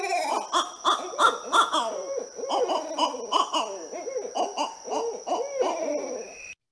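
Barred Owls in a frantic duet, overlapping hoots and cackling, monkey-like caterwauling about three per second, sounding like more than two birds.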